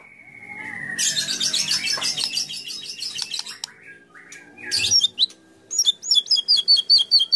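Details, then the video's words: Competition-style white-rumped shama song with fill-in mimicry: a long descending whistle under harsh, dense chattering, then a squeaky burst and a closing string of quick looping high notes. "25 Tembakan Murai Batu Isian Sadis Dan Mewah Yang Disukai Juri"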